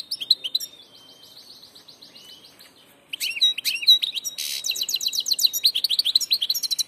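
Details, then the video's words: Passage goldfinch singing: rapid twittering, metallic notes high in pitch, a short burst, then a thin sustained whistle, then a long run of fast repeated chirps and trills after a pause, with a brief buzzy note midway. "jilguero del paso"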